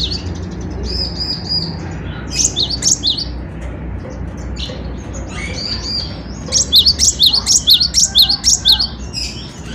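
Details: Cinereous tit (gelatik batu) singing persistently, as a tutor recording for songbirds: thin high whistled notes in short runs, then a loud burst of rapid sharp chirps repeated about twice a second, over low background rumble.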